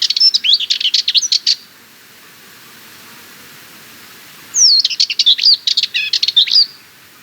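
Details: Sardinian warbler singing two fast, scratchy rattling phrases about three seconds apart, each a quick chatter of clipped notes mixed with short whistled slurs, lasting roughly one and a half to two seconds.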